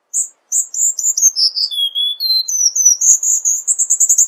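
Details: Cuban bullfinch song: a run of slurred notes descending step by step to a lower whistle, then climbing again into a fast, steady high trill.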